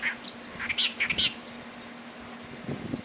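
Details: Clamorous reed warbler recorded at Bhigwan in December 2023: a few short, bright, chirpy notes in quick succession over the first second and a half, then quieter faint notes, with a steady low hum underneath.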